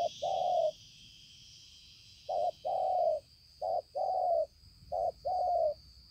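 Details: Cooing of a spotted dove, dated 5/9/2020: three paired phrases, a brief soft note then a drawn-out mellow coo that slurs downward, separated by pauses of over a second, over a constant high whine.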